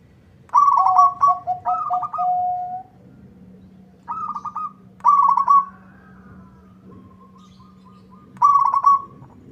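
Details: Local zebra dove singing energetically to prompt a rival's answer: a doubled trilled coo with lower clipped notes and a held tail, then shorter trilled bursts at intervals and soft level notes between. A steady low hum continues.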